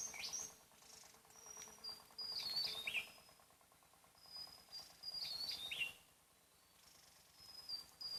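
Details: Javan tesia singing in the wild on Java, a loud, far-carrying voice: thin high whistles, then a quick jumble of notes that sweeps downward, given twice about three seconds apart over a faint steady insect hum.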